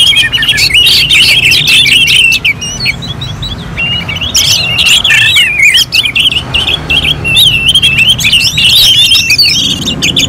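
Orange-headed thrush in full song: a loud, continuous, fast-changing run of clear whistles and warbled phrases, with a low rumble underneath.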